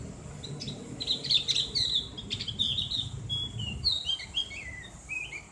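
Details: Javan grey-throated white-eye (cak gentong) in ngriwik style, a clear ngeplong voice used as therapy for the bird. High, thin twittering whistles form rapid slurred phrases, some falling, with faint low rumble behind.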